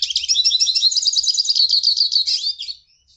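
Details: Hooded siskin (Carduelis magellanicus) singing a rapid, continuous twitter of high, scratchy chirps and fast trills for nearly three seconds before trailing off, with a faint low rumble underneath.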